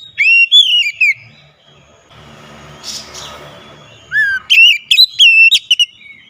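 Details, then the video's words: Oriental magpie-robin song, loud and clear, used as a lure to get a silent bird singing: whistled warbling phrase, a pause with soft background rumble, then a rising sweep into a longer series of sharp whistled notes. "kicauan nyaring pancingan ampuh Kacer malas bunyi langsung gacor"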